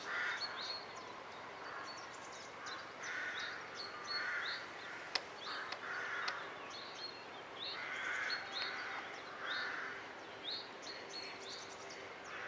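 A Eurasian jay gives harsh, rasping screeches, one roughly every second or two, over a soft backdrop of higher chirps from other birds.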